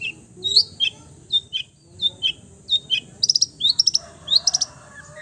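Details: Cendet, a long-tailed shrike able to imitate all bird voices, singing a chain of short down-slurred whistles, then sparkling rapid trills and rising notes.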